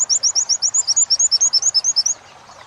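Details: Oriental white-eye training song, wit-wit material: some twenty thin, high whistled notes delivered rapidly and evenly over two seconds, alternating slightly in pitch, then quiet.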